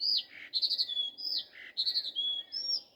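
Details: Common nightingale in morning song, delivering loud, rich phrases of swooping whistles, fast trilled notes and long pure tones, repeated about twice within three seconds, clear over a soft background.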